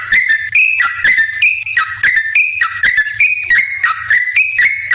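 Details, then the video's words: Chattering yellow-vented bulbul song played to make other bulbuls reply: a dense sequence of liquid up-and-down warbled notes with rhythmic sharp clicks. "suara trucukan gacor ampuh bikin nyaut pancingan trucukan agar bunyi"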